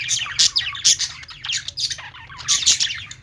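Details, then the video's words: Budgies kept in a pet store chatter in a thick mix of thin whistled squeaks and rough squawks, bursts rising and falling, low hum throughout. "budgies singing | parakeet chirping sounds in pet store"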